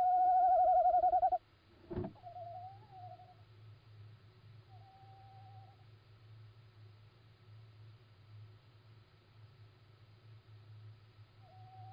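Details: Little owl calling at night on 17 March 2016 at 01:56: one loud wavering hoot at the start, followed by a sharp click and several fainter, shorter hooted notes over a constant low hum.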